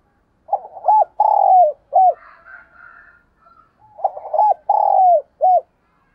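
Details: Spotted dove decoy calling to lure wild doves: low, hollow cooing phrases of a few notes, the longest a drawn-out, falling coo, repeated twice with a pause between, and faint higher background sounds in the gap.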